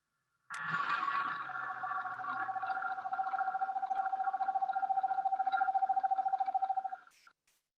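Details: Eastern screech-owl (Megascops asio) gives one long, even trill of rapid, soft hoots, holding a steady mid pitch for about six seconds, with faint room noise.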